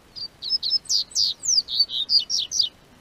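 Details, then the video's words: Captive double-collared seedeater from southern Brazil, singing as spring temperatures rise; a fast, continuous string of about twelve loud, high, slurred whistles, some sweeping down, delivered in under three seconds. "O Tempo Esquentou, COLEIRO Cantou"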